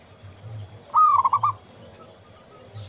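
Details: Vigorously singing local zebra dove, recorded as a lure for other doves: a single short cooing phrase, a drawn-out slurred note followed by three or four quick stuttered coos, over faint low hum.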